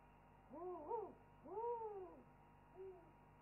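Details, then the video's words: Owls calling in a chorus at a webcam nest site, after which one owl preens and settles down: soft, low, rounded hoots that rise and fall, three phrases spaced about a second apart over a faint steady hum. "After an owl chorus"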